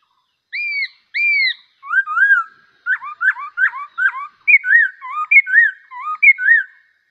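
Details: Bulbul in song: two matching upslurred whistles open, followed by quick clusters of short, bouncy whistled notes that become a steady run of rising-falling couplets.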